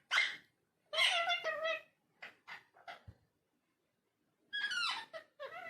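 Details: Talking parrot indoors in a small room, giving short bursts of harmonic, speech-like squawks and chatter separated by pauses, with a strong burst at the start and another cluster near the end.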